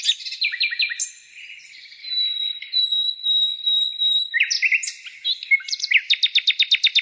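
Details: Varied bird song with chirped notes, a thin steady high whistle held for a few seconds, then twittering phrases and a fast closing run of repeated sharp notes.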